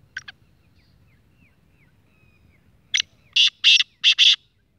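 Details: Young black francolin, six months old, speeder type, in short-cut call style: two sharp clicks, faint thin whistles, then a run of four loud grating rasps rising to a climax near the end.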